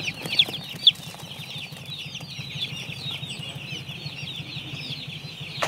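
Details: Many baby chicks on a farm peep nonstop, their high thin chirps tumbling over one another in a steady chatter, with a low droning hum underneath and a sharp click at the very end.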